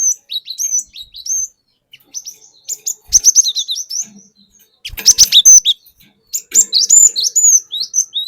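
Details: Forest-caught cinereous tit singing a lure song meant to provoke other birds, in the long rolling 'wucit wuit' style. Rapid high whistled notes, each rising then dipping, run in long series with brief gaps and a few clicks.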